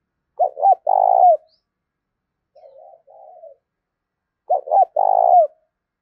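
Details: Two loud cooing phrases from a spotted dove, used to provoke cooing and train decoys. Each phrase is two short hoots followed by a long vibrating coo with a falling tail, separated by soft, low murmured coos.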